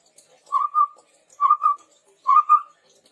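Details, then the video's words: Chestnut-rumped babbler giving low, mellow whistled notes in pairs, three doubled whistles about a second apart, in a lure recording for training other birds. "SUARA PANCINGAN BURUNG TEPUS TUNGGIR MERAH GACOR COCOK UNTUK MASTERAN"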